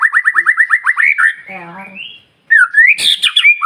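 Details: Morning song of a white-rumped shama to stir other birds: a rapid series of repeated rising notes, a buzzy harsh passage, a brief pause, then loud whistles and a sharp click.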